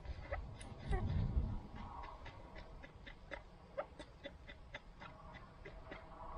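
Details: Kept chukar partridges keep up a steady run of short clucking notes, about three a second, with a low muffled noise near the start.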